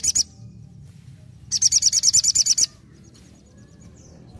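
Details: Sogon singing vigorously, nembak ngalas style: a brief chirp, a pause, then a shrill rapid trill of about a dozen high notes lasting a second, with soft low background hum.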